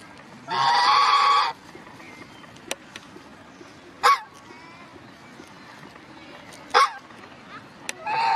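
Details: A swan goose at Luisenpark Mannheim gives a loud, harsh honk lasting about a second, then shorter nasal honks every few seconds, against a quiet background.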